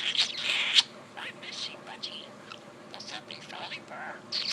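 A budgerigar talks in a thin, raspy, high-pitched voice, rattling off quick word-like syllables.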